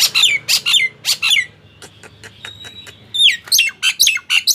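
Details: Nias hill myna song, played to prompt silent mynas into singing: bursts of loud, harsh, harmonic squawks and sliding whistles, then a quieter stretch with faint clicks and a steady tone, then more loud rapid calls.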